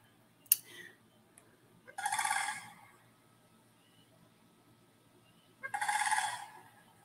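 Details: A pair of Sandhill Cranes, tall grey birds with red foreheads, dancing and displaying in a small wetland in spring, give two loud, rolling, dinosaur-like croaking bursts a few seconds apart over a quiet background with a faint click.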